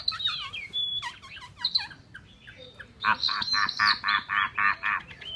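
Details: Chinese hwamei singing: slurred whistled phrases first, then a rapid series of harsh, rasping notes repeated about four times per second.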